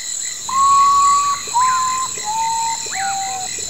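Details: Melancholy descending whistles of a common potoo: long level notes of almost a second each, every one pitched below the one before. Brief upswept chirps from other animals and a high steady insect buzz run underneath.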